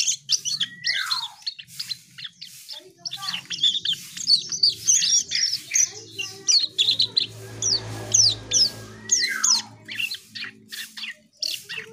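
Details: Asian pied starling delivering an energetic song of sharp clicks, squeaks and rapid high chatter, with a couple of descending whistles, continuing in rhythmic bursts over a low hum.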